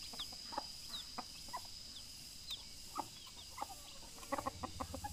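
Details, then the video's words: Rooster calling to its mate: short, soft clucks spaced irregularly, bunching into quick runs near the end, over a steady high insect whine and scattered thin bird chirps. "Suara ayam Jantan memanggil Pacarnya"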